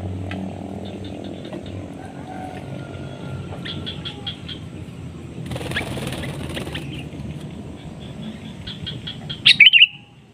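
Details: Sooty-headed bulbul calling to lure and challenge a rival, which answers; short high chirping notes repeat through a steady low hum, a burst of broad rustling noise midway, then a loud sharp call near the end.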